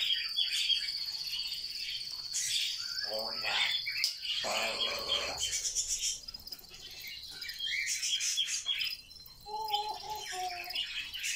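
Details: Pet grey parrot said to talk non-stop all day, giving raspy speech-like chatter over a steady high whine, then two short paired whistled notes near the end.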